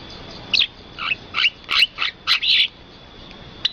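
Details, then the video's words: Unidentified bird calling near rice fields: a series of short, sharp high chirps, about seven bursts spaced roughly every third of a second between 0.5 and 2.7 seconds, followed by quiet background hiss. "suara burung dan pemandangan sawah"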